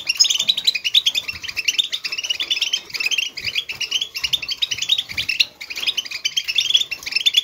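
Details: European goldfinch in a stimulation recording meant to excite goldfinches into song pours out rapid, tinkling twitters and liquid trills in dense, almost unbroken bursts, high and bright, with only brief pauses.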